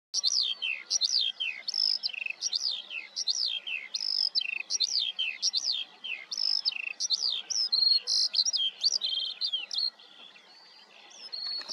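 A Eurasian skylark pours out a long, unbroken stream of high, rapid, chirruping and trilled notes that shift constantly in pitch, with no other sounds.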